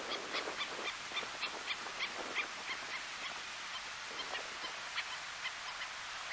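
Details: Least Terns (Sternula antillarum antillarum) at Baitiquirí, Cuba, in August 2017 give short, sharp, high-pitched notes in quick irregular bursts, several to the second, over a steady hiss of wind or surf.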